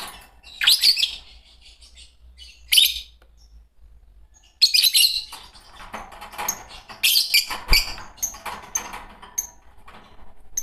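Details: Green pair of Fischer's lovebirds giving sharp, shrill chirps in scattered bursts, some rising squeaks, interspersed with softer chatter and occasional rustling or flapping sounds.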